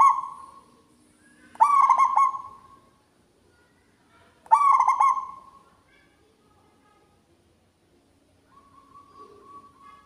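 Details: A local zebra dove sings a loud, resonant song phrase twice, about three seconds apart. Each is a burst of throbbing pulsed coos trailing into a held note. A fainter hum and soft murmur follow near the end.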